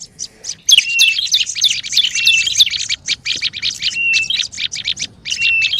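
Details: Lure recording of noisy olive-backed tailorbird: a brief soft start, then a sudden loud run of rapid sharp chips, interrupted by short flat whistles near one, four and five and a half seconds.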